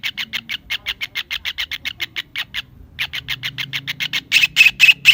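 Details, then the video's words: Kingfisher giving a long run of harsh, dry notes in rapid succession, about two per second-fraction, pausing briefly midway, then resuming and growing louder and broader toward the end. "Suara burung TENGKEK UDANG/cekakak"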